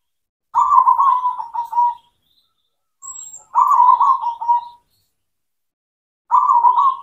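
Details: Zebra dove, local cemani type, singing to stimulate silent doves: three long, vibrating, trilled coo phrases with steady pitch, each lasting over a second and spaced by quiet gaps, with a faint soft click.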